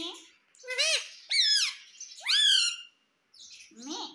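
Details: Pet talking Indian ringneck parakeet in India makes a string of loud, rising-and-falling squawking syllables, almost speech-like, in three main bursts followed by a softer, rough phrase.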